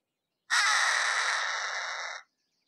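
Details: Harris's hawk giving one long, harsh, rasping scream lasting nearly two seconds, hoarse and grating throughout, fading slightly toward the end; no other sounds.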